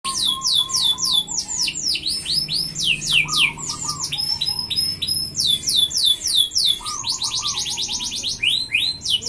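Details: F1 canary in full, energetic song: long rapid rolls of repeated high downswept notes, several per second, interspersed with short low warbled phrases, continuous and loud.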